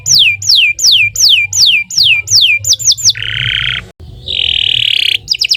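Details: Canary in long, full song: a series of loud downward-sweeping whistles, then two sustained buzzy rolls and quick high trills, over a faint low hum.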